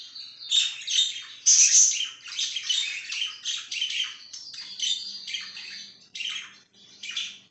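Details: Budgerigar recorded on 5/10/2023, chattering in a dense, continuous run of scratchy chirps and squeaky warbles. A louder burst of buzzy squawks comes near the middle. The chatter turns more broken toward the end, with a faint low hum behind it.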